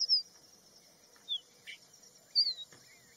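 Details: Crested bunting (Emberiza lathami), song.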